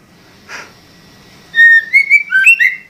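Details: White-rumped shama singing gacor style: one soft rasp, then a rapid phrase of clear, rich whistles that rise and fall in quick succession.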